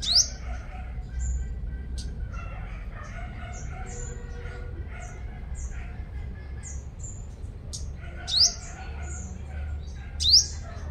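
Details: Sunbird used as a lure bird in Long Thành, Đồng Nai province, Vietnam: a series of soft, short, high whistles and twitters, then two loud, piercing, rising notes near the end, over faint low rumbling.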